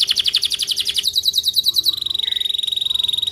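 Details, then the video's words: Canary singing, used to stimulate other canaries: a fast pulsed trill of repeated notes for about two seconds, then a higher, steadier buzzy trill running to the end. "canaris mélodieux pour stimuler le son des canaris | Kenari Lagu mewah"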